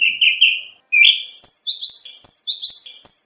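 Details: Kacer (oriental magpie-robin) training song for contests: a few buzzy mid-pitched notes, a short pause, then a rhythmic string of high, scratchy double chirps repeated steadily, more than one per second.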